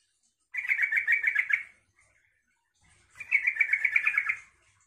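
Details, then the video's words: Two clear, bubbly phrases from a yellow-vented bulbul, each about a second long and made of fast liquid chattering notes, separated by silence; the song is used to prompt other bulbuls to answer. "suara trucukan ini bikin trucuk lain nyaut dan ikut gacor"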